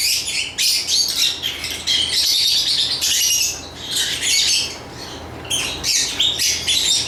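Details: Nearly nonstop lovebird chatter, with harsh high chirps and squeaky twittering tumbling over each other, easing briefly near the middle before picking up again.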